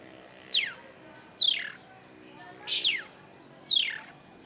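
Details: Long-tailed shrike (cendet), in a recording played to coax silent shrikes into singing: four harsh, descending, slurred sweeps spaced about a second apart over a quiet background.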